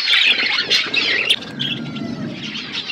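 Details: Wild parrots give loud, scratchy squeals and rapid chirps all together at the start, then the shrill chatter thins into softer, fainter calls.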